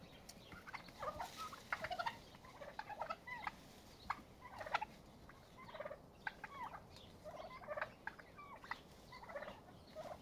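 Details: Turkeys fighting to exert dominance and establish a pecking order; many short, scattered calls and clucks in irregular bursts over low background rumble, with sharp clicks and scuffling between them.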